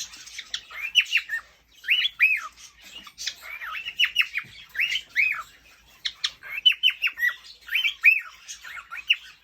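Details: Courting male cockatiel chatters steadily: repeated harsh, rise-and-fall chirped notes in groups of three or four, pausing briefly between groups.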